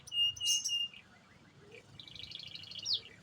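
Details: Canary, AF type, singing energetically: clear high whistled notes near the start, a brief pause, then a fast rattling trill of rapid repeated notes ending in a sharp downward slur.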